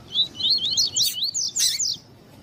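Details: Double-collared seedeater male singing while a female calls, for exciting males: a dense two-second burst of rapid zigzag whistled notes interleaved with buzzy, harsh bursts.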